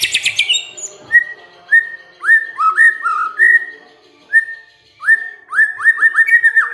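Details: White-rumped shama lure song meant to provoke other birds into singing: a high rattling burst opens, then a run of clear upslurred whistles, repeated with short pauses.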